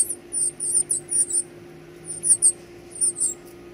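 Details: Baby birds being fed give very high, thin squeaking calls in short bursts, often in quick pairs, with pauses between bursts, over a steady low hum.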